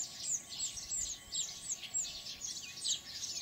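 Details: Baya weavers (Ploceus philippinus) at their nests in Kinta Nature Park, Perak, Malaysia, chatter together in a dense, high sizzle of overlapping wheezy chirps and thin squeaky notes, several each second, over a soft steady hiss.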